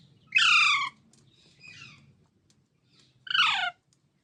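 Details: Baby parrots giving two loud harsh falling squawks about three seconds apart, with a fainter call between them and a low hum.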